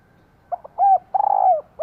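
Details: Female spotted dove calling to excite a male: two quick soft notes, a smooth hollow coo and a longer wavering coo, with the next phrase just starting at the end.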